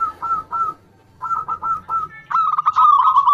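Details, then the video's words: Zebra dove, local bird used as a calling lure for reluctant singers: short groups of soft cooing notes with gaps, then a louder, rolling, quavering trill at the end, faint background noise beneath. "HITUNGAN DETIK SEMUA JENIS PERKUTUT LANGSUNG NYAUT-PANCINGAN UNTUK PERKUTUT MALAS BUNYI"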